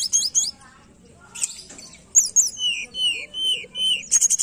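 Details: Lure recording of tledekan song meant to coax a bird that rarely sings: rapid buzzy trills followed by a run of clear, falling whistled notes, ending in quick chattering bursts.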